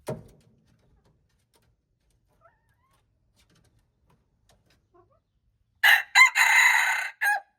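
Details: Red junglefowl, wild chicken, recorded March 2, 2025, crowing: near-silence for almost six seconds, then a loud broken crow near the end, with two short opening bursts, a sustained harsh middle note and a brief final note.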